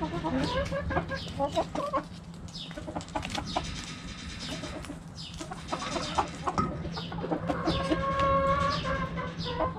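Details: Backyard chickens around a cabbage, a busy, noisy mix of clucks and scratching, with steadier drawn harmonic calls near the end over a low hum.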